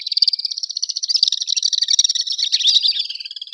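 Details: Urban common swift screaming: one continuous piercing, rasping trill held for over three seconds, high and slightly wavering, fast pulses steady throughout against a quiet background.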